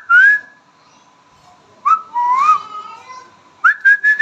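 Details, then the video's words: Pet Indian ringneck parrot talking: clear whistled, speech-like phrases, a rising-falling note near the start, a wavering middle phrase, then three quick repeated notes at the end, with quiet pauses between. "my amazing talking parrot sound"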